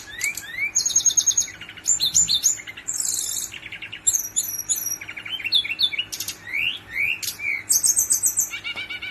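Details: Long rolling song of a brown-chested jungle flycatcher, packed with dense buzzy bursts, rattles and rising whistled slurs in rapid varied phrases, with a soft hum beneath.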